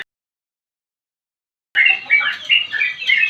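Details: Yellow-vented bulbul (trucukan) in lively 'gacor' form, singing in the long continuous 'ngropel panjang' style; after nearly two seconds of silence come bubbly, warbled notes in quick, chattering phrases, with no other sounds.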